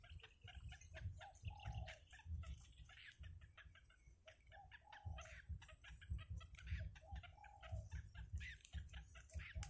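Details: Yellow bittern chicks being fed by their mother in a wild nest produce an excited stream of rapid rasping clucks, with short falling, moaning notes breaking in now and then.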